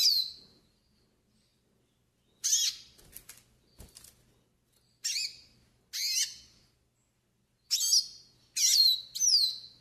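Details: Yellow-faced siskin (pintassilgo do Nordeste) song used for tutoring and warming up birds: short separate high sweeping notes, falling and twisting, spaced by silent gaps with a faint low hum beneath.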